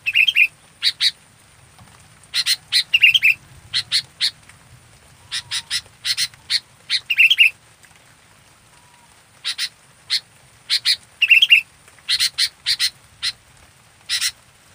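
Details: Fully active local sooty-headed bulbul (kutilang) gives clusters of sharp, raspy double notes, broken by several short bubbling whistled phrases, in irregular bursts with brief pauses throughout.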